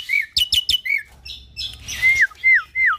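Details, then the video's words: Cage-kept Nias hill myna x Asian pied starling hybrid used as a training model: a few clear slurred whistles and clicks, a soft scratchy passage, then three loud falling whistles in a row. "Masteran Jalak Hybrid Gacor Full Isian - Silangan Jalak Nias X Jalak Suren Gacor Parah"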